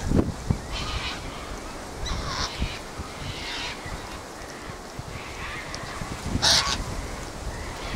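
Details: Sulphur-crested cockatoos gathered at their usual spot on a windy day, squawking as a flock: harsh, broad, raspy screeches at about one-second gaps, the loudest near the end, over steady low wind rumble.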